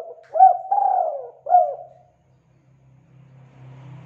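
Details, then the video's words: Spotted dove cooing to stir lazy doves into singing: a rising coo, a long falling coo and a final short coo, followed by a faint low hum. "MASTERAN PANCINGAN TEKUKUR MALAS ATAU MACET BUNYI"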